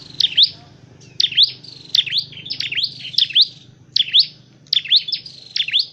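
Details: Dark-necked tailorbird, a trained trapping bird, repeats shrill, high chevron-shaped chirps about once a second, often doubled, over a soft low background hum.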